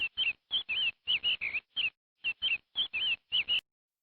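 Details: Chick peeping in short, high-pitched bursts, often paired, about a dozen in four seconds, followed by a brief silence.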